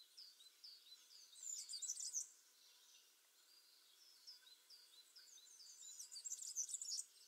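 A European serin sings two bursts of very high, rapid, jingling and fizzing notes, each about two seconds long, separated by a quiet pause.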